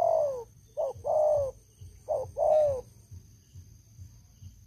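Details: Decoy spotted dove of long service used to lure wild doves, loud-voiced. Hoarse coos with downward-curving long notes and brief staccato ones, two phrases, then quiet with soft low background thumps.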